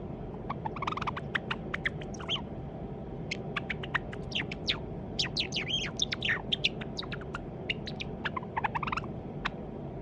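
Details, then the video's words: A caged white Java sparrow, probably male, taken home as a chick in October 2021, working on its song. It gives a long, uneven series of crisp clicks and short bell-like chirps, some sliding downward, with brief pauses. A quiet low hum is steady behind. "文鳥さん さえずり練習 java sparrow"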